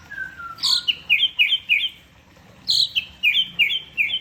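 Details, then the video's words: Orange-headed thrush singing 'teler': a thin low whistle, then a bright descending phrase of five or six quick, slurred, chirping notes, repeated after a brief pause. "Anis Merah teler"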